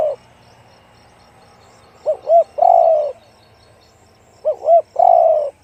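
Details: A spotted dove with a big 'one-kook' voice delivers two cooing phrases about two and a half seconds apart, each a paired short note then a long mellow coo, over low background hum.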